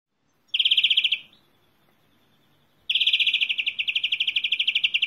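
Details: European greenfinch song: a rapid, even trill of bright notes lasting about half a second, then silence, then a second, longer rolling trill that runs on to the end at a steady pace.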